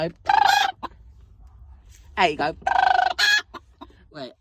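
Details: Loud chicken noises: a strained, harmonic squawk opens, followed after a pause by a cluster of harsh, wavering cries between two and three and a half seconds, trailing off into softer clucks.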